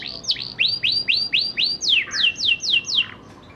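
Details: Young canary learning to sing, kept as a lure to get other canaries singing in the rolling ngerol style: about a dozen high slurred notes, first rising then falling, repeated four per second.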